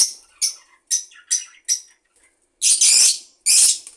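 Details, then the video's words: Budgie calling with five evenly spaced, crisp high chirps, followed by two louder, harsh, rushing bursts. "budgie bird"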